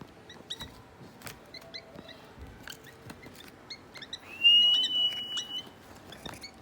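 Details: Hand-fed African lovebird chicks, three weeks old, playing: brief high squeaks and chirps repeated throughout, then a loud, steady piping whistle lasting over a second, among light clicks and taps.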